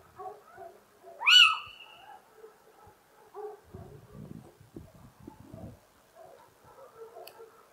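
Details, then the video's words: A little owl (Athene noctua) song: a single loud, mewing note that rises sharply, then levels off, with faint low rumbling and murmuring in the background. "Mochuelo europeo (Athene noctua) Canto"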